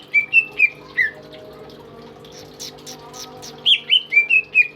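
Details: Tame caged greater green leafbird used as a tutor bird, whistling a few clear falling notes, then a short gap with soft rustling, then a rapid run of bright descending whistles.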